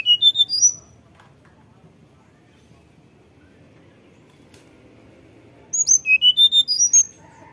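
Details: Tledekan gunung lure recording meant to coax captive birds into frequent song: two bursts of rapid, high, fluting whistled notes that rise and fall, separated by about five seconds of quiet.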